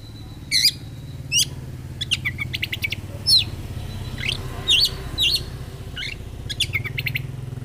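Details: An oriental magpie-robin sings in the energetic fighter style with scattered bright chirps and short trilled bursts, spaced about a second apart over a low steady hum.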